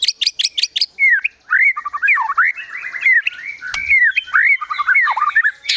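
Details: Agitated White-rumped shama opens with rapid high ticks, then pours out swooping, looping whistles and chattering phrases that carry imitations of birds such as sogon and kunti.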